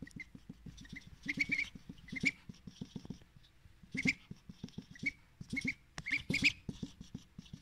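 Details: Breakfast salad for a pet drake who begs for extra with a thin, babyish voice; clusters of high, sharp, slightly rising peeps come between bouts of fast rhythmic dabbling and clicking.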